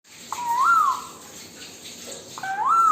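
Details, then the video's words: Indian ringneck parakeet, a pet parrot kept indoors, vocalising while dancing with its owner: two rising-and-falling whistled calls, each swooping up then gliding down, about two seconds apart, with faint room noise between. "My ringneck parrot loves dancing and singing"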